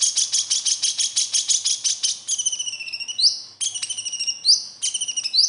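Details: Steady rapid ticking of high chips from a konin sunbird in besetan style, a prompt song for captive birds, then thin whistled notes with sharp upward flicks woven through the chatter.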